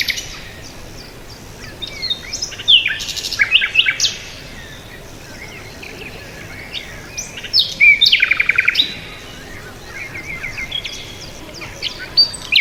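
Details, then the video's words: Several birds chirp: scattered sharp high notes and slurred whistles come in bursts, with a fast, even trill about eight seconds in, separated by quieter pauses, roughly three to four notes per second overall. "bird chirping sound"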